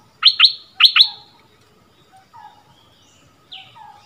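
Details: Bulbul used as a decoy, singing against a resident territory holder at its former home ground, February 2021: four sharp, loud rising notes in two pairs, then softer, lower whistled notes trailing off.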